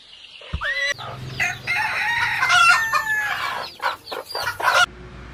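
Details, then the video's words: Farm chickens: a rooster's drawn-out, harmonic crow rises and falls through several overlapping phrases over about four seconds, mixed with clucking from other birds. "Sounds of farm animals, cows, chickens, sheep, goats, horses"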